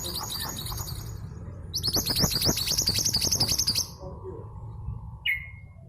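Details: Long-tailed sibia, a local East Java female kept to make stalled males sing: a soft opening chatter, then a two-second rush of high rising chirps, and later one lone clear whistle.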